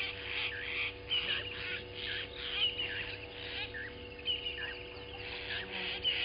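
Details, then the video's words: Southern masked weavers at Gowrie dam waterhole, Djuma Game Reserve, Sabi Sand Wildtuin, South Africa, in the morning after arriving; repeated sharp chattering bursts and squeaky notes about every half second, some whistled upslurs, over a faint constant hum. "Southern Masked Weavers have arrived!"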